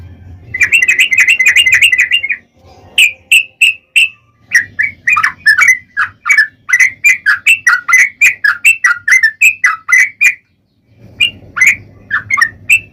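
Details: Sooty-headed bulbul singing a long lure sequence to make other bulbuls sing: a rapid warbled burst, then many quick bright chirps and bubbling notes in irregular runs, with a short pause and low background rumble.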